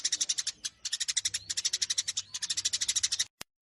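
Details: Eurasian tree sparrow fighting chatter: bursts of sharp, quick chirps in short runs separated by tiny pauses, ending abruptly with a single click.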